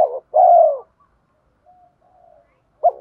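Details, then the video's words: Spotted dove used as a lure bird, giving one long low falling coo after a short note, then a faint soft coo and the start of another phrase. "chim cu gáy giọng thổ pha thúc đấu rút bổi nhanh về"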